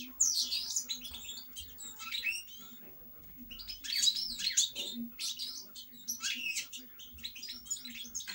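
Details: European goldfinch song in separate bursts of bright twittering and tinkling notes with short pauses between them, over a faint steady hum.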